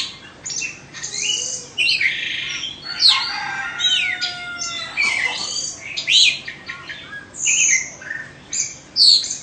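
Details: Caged Oriental magpie-robin of Indonesian origin, second-season bird, pours out a loud, varied song of harsh chattering bursts, sharp whistles and long steady tones, phrases rising and falling every second or so.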